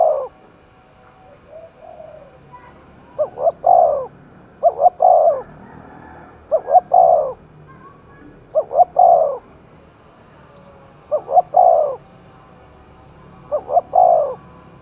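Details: Spotted dove cooing while roused for contest in Đồng Nai, Vietnam. Seven strong phrases repeat roughly every one and a half to two and a half seconds. Each is a quick double note then a long, low, mellow coo.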